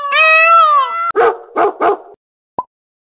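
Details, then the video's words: Young male peacock, eleven months old, giving his first mating calls: a loud, drawn-out, harmonic wail lasting about a second, followed by three harsh, honking bursts and a brief final click. "Young Peacock First Mating Calls"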